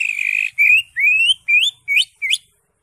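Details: Caged green leafbird singing strongly, a lure for a silent leafbird: a long buzzy whistle, then several rising slurred whistles, the last ones short and sharply upswept, with faint low thumps behind.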